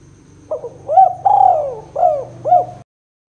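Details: Spotted dove giving its 'kuk 2' style coo, used to lure and prompt birds: a low hum, then several hoarse, arched coos in quick succession over about two seconds, with a faint low rumble underneath.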